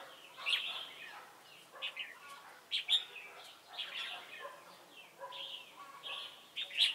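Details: At Chùa Hương on 28 November 2017, a decoy red-whiskered bulbul sings for trapping. Cheerful, rapid warbles of short whistled notes, phrases spaced about a second apart, some notes rising sharply.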